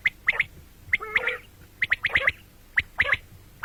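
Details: Common quail calling, given for morning and night: sharp, clipped high notes in quick triplets, repeated at uneven intervals, with a few lower nasal, buzzy squawks between the groups.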